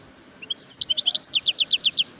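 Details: Wild European goldfinch song: a rapid, bright twittering run of high notes that starts with a few varied chirps and settles into a fast, evenly repeated series of short down-slurred chips over a quiet background.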